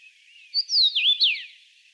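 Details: A Common Rosefinch at a Russian forest edge gives one short, clear whistled phrase of slurred notes that swoop up and down, lasting under a second, over a faint background hiss.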